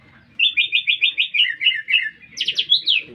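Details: Lesser green leafbird in lively full song in a town setting: a fast series of bright, slurred chirps, then a burst of sharp higher notes at the end.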